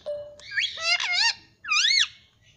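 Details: Pet Indian ringneck parrot indoors making warbled, wavering harmonic squawks, one long wobbling phrase then a shorter rising-falling call.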